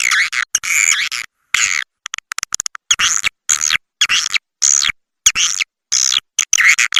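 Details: Swiftlet lure call for attracting swiftlets: bursts of buzzy, twittering chirps, choppy and cut by abrupt silent gaps.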